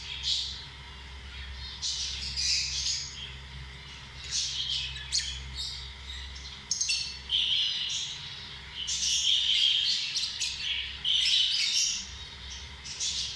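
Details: Lovebirds, small social parrots, giving a busy flurry of shrill squawks and high chirps in irregular clusters, louder in the second half, over a constant low mechanical hum.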